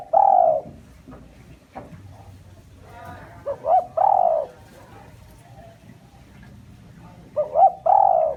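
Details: Lure call of a spotted dove meant to attract wild birds: three mellow phrases, each two quick low notes then a drawn-out coo, spaced roughly every three to four seconds, with soft clicks and handling noise between them.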